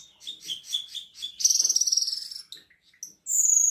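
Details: Caged Black-winged myna in full song, 10 March 2025: a run of rhythmic chirps, then a loud rapid trilled rattle, a pause, and a long shrill high whistle at the end.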